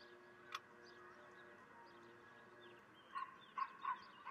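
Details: Common kestrels at a feeding on 18 May 2023 at 10:20, when not all were fed, give four short, harsh, grating notes in quick succession near the end, after a single sharp tap and steady low background hum.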